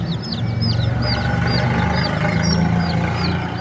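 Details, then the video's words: Several chicks in a bird market in Pakistan give quick, high, downward-sliding peeps, two or three a second, over a steady low rumble of traffic and crowd. "Beautiful Chirping Sounds of Cute and Funny Chicks"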